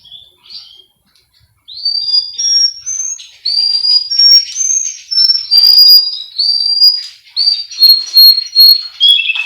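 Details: Male Russian canary, a training recording from a breeder in Miami, Florida, singing a varied run of clear whistled notes and short slurred phrases, some rising, mixed with brief chirps, growing louder after a quiet opening.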